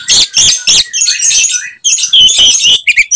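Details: Oriental magpie-robin (kacer) in full fighting song, delivering its typical 'tembakan' shot phrases to provoke other magpie-robins; loud, harsh, high bursts in quick clustered strokes with a brief pause midway, sound slightly distorted.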